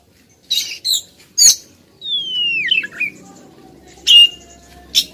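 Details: Female Oriental magpie-robin calling insistently toward a male, here quieter: a few short scratchy notes, then a drawn-out descending whistle with a twist at its end, and two further sharp chips over a faint low hum.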